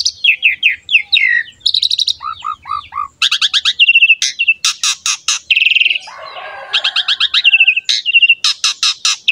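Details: Singing Asian pied starling (jalak suren) used as a lure for other songbirds: dense run of sharp chirps, rattling buzzy bursts, short descending whistled notes and a scratchy passage, delivered continuously with brief gaps.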